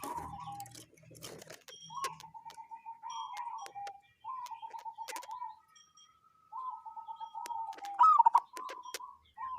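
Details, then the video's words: Unusual cooing from a wild local zebra dove: repeated phrases of soft, rippling, slightly falling coos, ending in one louder twisting note, with ticking clicks throughout. "Perkutut lokal suara aneh"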